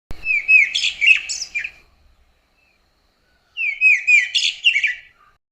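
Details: Karoo thrush of southern Africa giving two rich, warbled phrases, each about a second and a half long, with clear fluty notes and a short pause between; quiet background.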